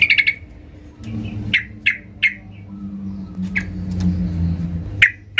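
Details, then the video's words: Yellow-vented bulbul, a female calling the male, used to provoke singing; scattered sharp chirps spaced about half a second to a second apart over a low droning hum. "Trucuk BETINA MEMANGGIL JANTAN"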